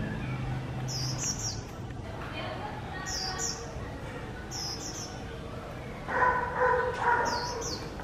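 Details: Female Swinhoe's white-eye, a caged bird bought at a bird market, giving short, high, thin descending chirps in small bursts about once a second. A lower tonal whine rises near the end over steady background hiss.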